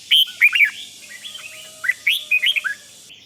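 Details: Red-whiskered bulbul singing, meant to rouse other bulbuls: a rapid run of clear, warbling whistled notes, some rising and some dropping, in two quick bursts separated by a short pause.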